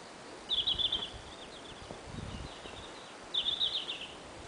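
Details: A red-flanked bluetail on its high-mountain breeding grounds sings two short, clear, slightly warbling high phrases about three seconds apart, with faint background hiss between them.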